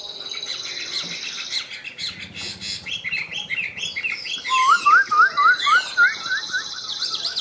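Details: Tam Hoàng Chinese hwamei in a cage, singing high: mixed chattering and warbles at first, then a clear series of about nine loud upslurred whistles repeated roughly every third of a second.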